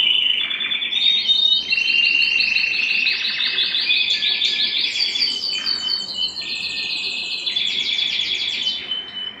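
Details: Canary singing in an excited state, wanting to mate: dense, continuous song of rapid trills and rolls that shift between pitches, with overlapping buzzy and bell-like tours throughout.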